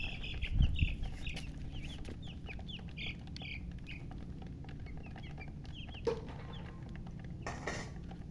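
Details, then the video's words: Just-born chicks produce a thick flurry of high, sharp peeps at first, thinning to sparser calls later, with a few low bumps and handling noises against a steady hum. "Tot Murgi chicks chirping sounds Just Born Baby Gallina FRACAS Chicks Piar Loudly Sound"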